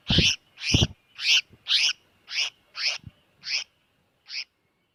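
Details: Trapping lure of a bird in distress: eight harsh, scratchy notes at a steady pace, spacing out toward the end, the first two marked by low bumps.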